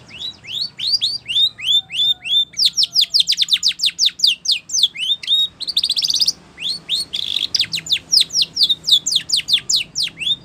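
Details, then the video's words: Spanish Timbrado canary in full training song, a long stream of rapid, high, downward-sliding notes grouped into trills, with dense buzzy rattles in the middle and occasional rising whistles. "Sound Of Canaries / Spanish Timbrado song For Training"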